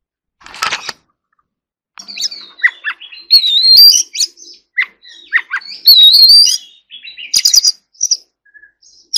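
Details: Oriental magpie-robin practising forest-voice song: a short rough burst, a second of quiet, then lively varied song with rising sweet whistles, chattering notes and quick twitters.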